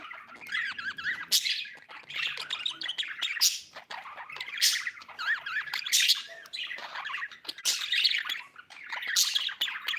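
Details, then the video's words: Domestic budgerigar giving a steady stream of chirps and grating chatter, with louder harsh bursts about every one and a half seconds over a warbling background. "budgie chirping sound"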